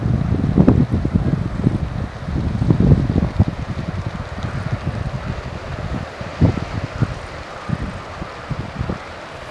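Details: Gusty wind buffeting the microphone in irregular low thumps over a background wash of surf at the coast, easing toward the end; no animal calls are audible.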